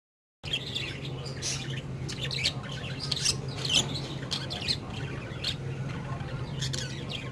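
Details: A budgerigar family with 13-day-old chicks, on 4 August 2025, chatters with scratchy chirps and brief squawks over a steady low hum.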